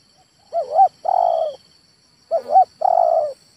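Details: Male spotted dove giving two coo phrases in quick succession, each a short double-humped note then a longer, steady, burry coo, against a faint high steady hum.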